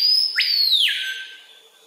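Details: Adult male Screaming Piha singing on a lek in Kourou, French Guiana, at 13:00 on 25 September 2023, recorded with a Panasonic FZ300. A piercing whistle sweeps sharply upward, then slides down into a long, loud, falling scream that fades away.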